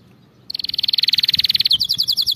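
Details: Canary song used for training canaries to sing correctly: a fast trill of repeated notes, then a quicker, higher rattling roll of short buzzy notes, loud and clear after half a second of quiet background hum.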